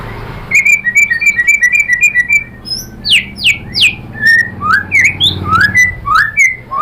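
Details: Shama lure song aimed at getting another bird to sing: a rapid trill of short whistles, then steep descending sweeps and slurred whistles, over a low background rumble.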